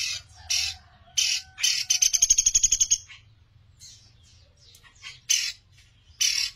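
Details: Master recording of a lively Sunda pygmy woodpecker for training songbirds: harsh high bursts repeated at intervals around a fast, evenly pulsed buzzy trill lasting over a second.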